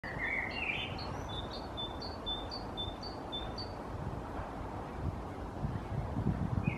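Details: In May in Helsinki, Finland, a parent Great tit leaves its maple-cavity nest hole after feeding its young and bursts into a quick run of high two-note phrases, about eight repeats in three seconds, over a steady low rumble.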